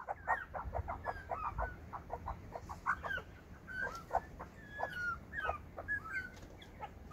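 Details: Hungry butcherbirds begging: a rapid run of short, harsh, rising and falling calls, several per second, with a few higher whistled notes, over a low steady background rumble.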